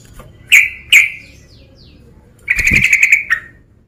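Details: Calling to challenge a rival, a male sooty-headed bulbul gives two sharp, ringing notes, a pause, then a rapid, rattling chatter of many quick notes for nearly a second before stopping.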